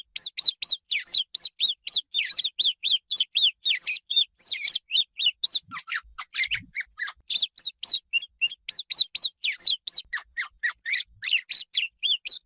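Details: Swallow twittering: a long, fast chatter of sharp, high chirps and buzzy notes, repeated several times a second almost without pause, with one brief lower, scratchier section in the middle, against clean silence.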